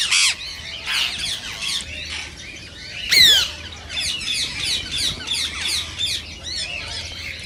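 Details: Rose-ringed parakeet, its voice meant to encourage other parakeets to sing and mate: a mix of sharp chirps, rasping chatter and one loud downward-sweeping screech, fairly busy and irregular throughout.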